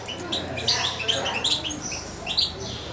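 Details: Two-month-old hand-fed European goldfinch kept close to its owner; dense, high twittering chirps follow each other rapidly, with faint human voice underneath.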